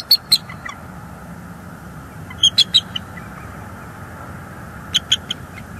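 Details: Bald eagles on a Northeast Florida nest live cam, 5 January 2022 at night, tending eggs and changing places on incubation; three separate bursts of high, piping chirps spaced a couple of seconds apart, with a low steady hum beneath.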